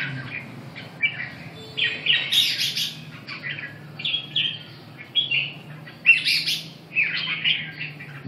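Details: Red-whiskered bulbul singing short warbled, slurred phrases in bursts, separated by brief pauses, with a few harsh high-pitched rasping notes mixed in; low steady hum underneath.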